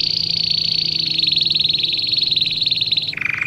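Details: Domestic canary singing for young birds being trained: a long, very fast buzzing trill held at one high pitch for about three seconds, then a sudden switch to a lower, rolling trill.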